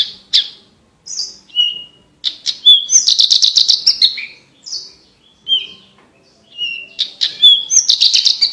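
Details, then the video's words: A Javan bush lark, singing nonstop and valued for crystal-clear voice, alternates short whistles and slurred notes with fast, rattling high trills in a varied, repeating sequence. "MASTERAN BURUNG BRANJANGAN GACOR FULL ISIAN VOKAL JERNIH DAN KRISTAL COCOK UNTUK ISIAN BURUNG LOMBA"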